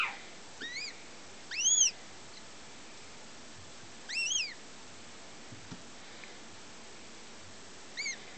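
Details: A 2009-hatched female goshawk, German crossed with Finnish, still in her first year, calls in scattered high, thin whines: short arched notes in uneven bursts, one pair louder, others faint, separated by long quiet gaps.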